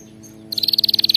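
A canary gives a fast, even trill of high, bright notes, about twenty per second, starting after a brief quiet pause.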